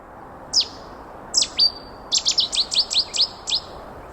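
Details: Cetti's warbler, a sparrow-sized, resident bird of wetlands and riverside vegetation near rivers, sings: loud, abrupt, sharp whistled bursts. Two single notes come first, then a rapid run of about eight explosive repeated notes, set against a quiet background.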